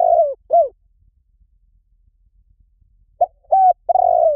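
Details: A phrase ends with a falling coo and a short slurred note. After a long pause, a spotted dove used for luring starts again: a brief note, a level coo, then a long burry coo that slides down.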